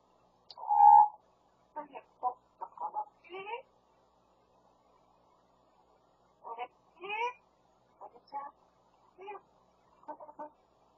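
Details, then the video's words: A pet Grey parrot talks, giving a loud clear whistle, then strings of speech-like syllables in short bursts with brief pauses, mimicking the owner's husband's voice. "말 잘하는 회색 앵무새"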